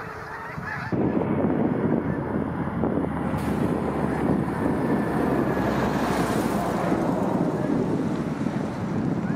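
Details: Several thousand migrating snow geese landing on and around a pond in North Dundas Township, bound south for winter; a dense, continuous roar of overlapping honking calls fills the whole stretch, with wind noise throughout.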